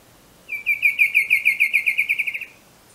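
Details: Bicolored antvireo from Colombia giving a rapid series of about fourteen clear, slightly descending notes near the upper-middle pitch range, lasting about two seconds and fading at the end; quiet background otherwise.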